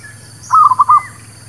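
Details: A local zebra dove's song, used to lure birds into traps: a single quick phrase of four soft notes run together, a faint whistle trailing after, low hum behind.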